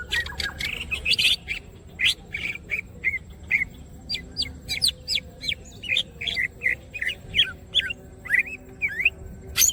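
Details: Greater green leafbird singing actively with spread wings: an opening flurry of sharp clicks and chirps, then rhythmic V-shaped whistled notes repeated about twice a second.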